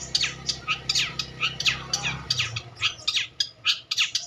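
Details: Long-tailed shrike singing a fast, busy stream of sharp, high chirps and squeaky notes, repeated several times a second, over a faint low hum.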